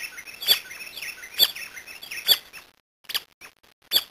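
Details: Brasilia tapaculo in Brazil, three crisp sharp notes almost a second apart over a dense chatter of other birds, then the chorus falls away and a few more clicky notes follow.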